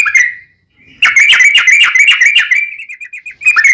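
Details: Yellow-vented bulbul singing a long rolling 'ropel' phrase, used as a lure to make captive bulbuls answer: a brief bubbly note, a short pause, then a rapid chattering run of bright notes that slows into separate chirps.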